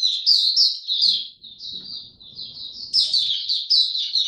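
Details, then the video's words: Oriental white-eye ramping up form, singing in the style called buka tiong aw, dated 03-01-2022: a fast, continuous run of high, sweet chirping notes sliding and warbling, briefly pausing then resuming, with faint low rustling beneath. "Mata Puteh Dagger ramp up form buka tiong aw sing"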